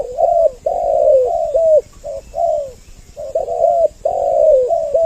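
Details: Spotted dove double-voice lure call used to draw both sexes close: dense runs of soft low coos, drawn-out trembling notes followed by short arched ones, with one brief lull mid-way.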